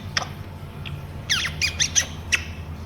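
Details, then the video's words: Pet talking African grey parrot indoors in a small room while its owner speaks to it in Malayalam; several short, sharp whistled chirps and a squawk, some sweeping downward, over a low steady room hum. "Malayalam talking parrot || African grey parrot"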